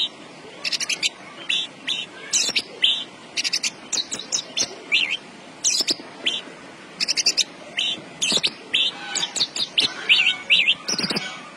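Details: Javan bush lark in a cage sings a dense, scratchy medley of sharp high chirps and rattles, phrases broken by short pauses.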